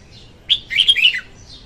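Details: Female red-whiskered bulbul singing, a recording used as a lure for trapping bulbuls: one short, quick phrase of bright whistled notes that wobble up and down, ending in a downward slur, against a quiet background.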